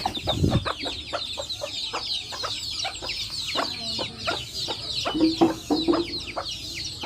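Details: Hens with chicks in a backyard; steady low clucking pulses and constant high chick cheeping, with a thud at the start and a brief nasal hen note later.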